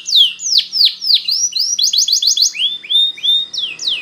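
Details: Spanish Timbrado canary singing a training song: sweeping downslurred whistles, a quick burst of rapid paired notes, then lower rising slurs and final downswept whistles.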